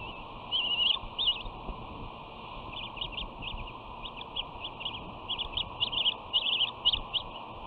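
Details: Bald eagle sisters at the West End nest, caught on a nest camera on 13 June 2019 during a dominance tussle while their brother watches. Rapid, squeaky chittering notes in uneven bursts, growing busier toward the end, over constant hiss.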